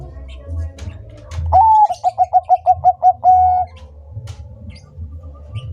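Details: Zebra dove, Bangkok type, delivering a clear song phrase: a sliding introductory note, a brisk series of about seven short pulsed coos, and a longer sustained ending note, over soft background twitters and low hum.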